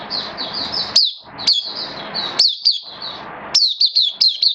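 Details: Hobby oriental white-eye (mata puteh) in open song, form slightly dipped: runs of high, wavering notes interrupted by sharp loud chirps, ending in a quick series of crisp, descending slurred notes.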